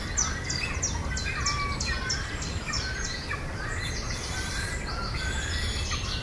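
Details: Great cormorant chicks begging while fed by regurgitation by parents in a tree-nesting breeding colony at Naardermeer reserve, Netherlands: high, thin, squeaky begging notes in rapid repeated bursts over a low wind rumble.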